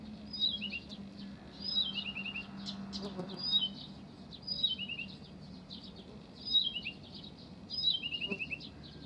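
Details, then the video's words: Song of Blyth's reed warbler recorded at Pavlodar: a short descending whistled-and-chattered phrase repeated roughly every 1.3 seconds, over a faint low hum. "НА КОНЦЕРТЕ САДОВОЙ КАМЫШЕВКИ В ПАВЛОДАРЕ"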